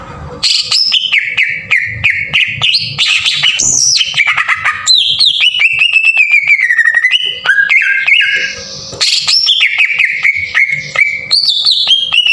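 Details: Green leafbird song used as a lure to trigger singing and raise a caged bird's excitement, harsh rapid 'shooting' delivery: loud whistled phrases, sliding and warbling, with rapid sharp chips and trills running continuously.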